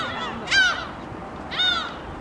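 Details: Gulls at the Haengdamdo rest area feeding spot in Dangjin, flocking to take shrimp crackers from people: two loud, harsh, downslurred calls about a second apart, rich in harmonics, over low background rumble.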